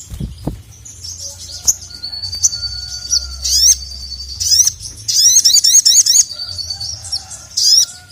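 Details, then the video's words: Crimson sunbird (sogon, sogok ontong) calling the male, used as tutor audio to rouse a quiet bird: high, thin chirps and rapid zigzag twittering bursts, repeated in clusters over a soft low hum. "SOGON GACOR MEMANGGIL JANTAN"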